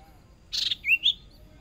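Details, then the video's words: Newly raised Hwamei decoy bird at its first practice contest round: a brief harsh burst followed by two loud, clear whistled slurs that rise and fall within under a second. "Chim Huýt Cô Mồi Mới Lên Lần Đầu Dợt Lụp Nhỏ Đấu Căng Lửa Thật"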